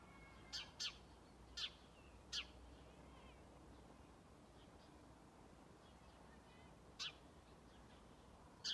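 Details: A lone house sparrow (Passer domesticus) gives a surprisingly powerful call of sharp, short chirps, some in quick pairs, at irregular intervals over a low rumble of city noise; Strömgatan, Haga, 21 December 2022.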